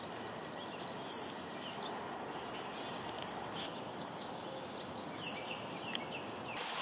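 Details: Black-throated Green Warbler migrating in May at Mt. Auburn Cemetery, Cambridge, Massachusetts, sings its first song type: high, buzzy repeated notes closing in a distinct warble, about every two seconds, over a steady high insect drone.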